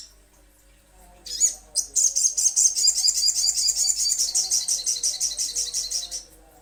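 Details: Little spiderhunter used to coax birds into calling: a couple of sharp swooping notes lead into a long, rapid, steady run of high chattering chips lasting about four seconds.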